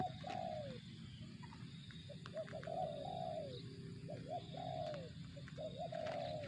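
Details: Spotted dove calling in the tekukur 'target zong' style: a series of low, hoarse coos, some short and some drawn out with a falling end, repeated over about six seconds above a steady low rumble of background noise.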